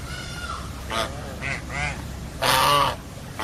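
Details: A few separate goose calls, nasal and harmonic, some slightly wavering, come at intervals, ending in a loud broad honk near two and a half seconds over a steady low background hum.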